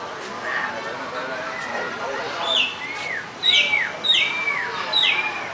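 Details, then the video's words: Caged bird singing; soft chatter builds into a series of clear arched whistles, each rising then falling, repeated about every half second with high sharp notes above, over faint background murmur. "Chim ơi, chim ! hót lên con"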